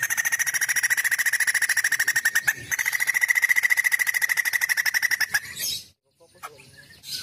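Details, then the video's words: Female white-crested laughingthrush singing busily: a long, rapid rattle of repeated sharp notes running about five seconds with one brief pause, then an abrupt cut to near silence and faint rustling. "Poksay jambul betina gacor"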